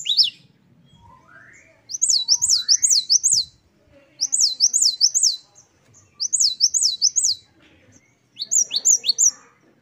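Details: Great tit, gelatik batu, singing its wucit2 style, one of ten variations: four bursts of rapid repeated high two-note slurs about two seconds apart, with fainter lower rising whistles between them.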